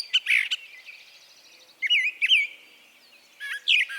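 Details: Brown Thrasher from Harvey County, Kansas, with a repertoire that can include copied songs; short harsh bursts, paired looping whistled notes in the middle and a final chattering phrase, separated by pauses over steady low hiss.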